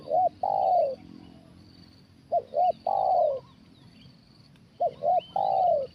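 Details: Spotted dove, 'kuk satu' big-voice type, calling during a trapping session with a decoy: the same phrase of two brief coos and a long falling coo repeated three times, roughly every two and a half seconds, against quiet low rumble.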